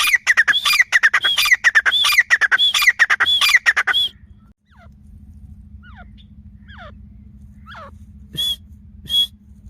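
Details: Grey francolin calling: about four seconds of loud, rapid, harsh repeated phrases with whistled high notes, then a near-silent gap with faint distant notes and two short high whistles near the end.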